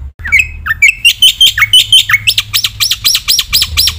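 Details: Black-winged myna singing a lively training song: choppy chirps and falling slurs lead into a series of arched, ringing notes repeated about twice a second, over a faint low hum.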